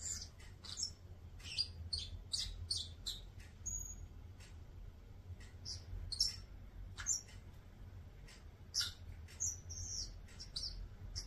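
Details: Bourke's parrot song made of dense, rapid high chirps and short twittering bursts, with a few clear whistled notes mixed in, continuing throughout over a faint low rumble.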